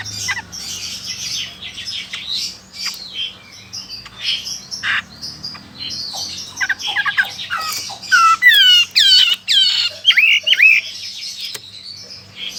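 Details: Chinese hwamei in Sokaraja, Banyumas, Central Java, Indonesia, singing loudly: a varied run of chirps builds into strong slurred whistles sweeping up and down, set among sharp clicks and tapping.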